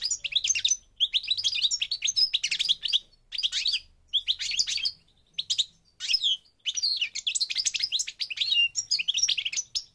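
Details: Song of a North African parva goldfinch from Morocco: lively, jangling twittered phrases broken by short silences, with trills and high sweet notes throughout.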